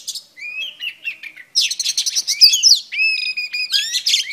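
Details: Female Oriental Magpie Robin singing to stir up males: varied clear whistled phrases, rising and falling slurs and quick chirps, with a short pause before a louder, denser burst of notes.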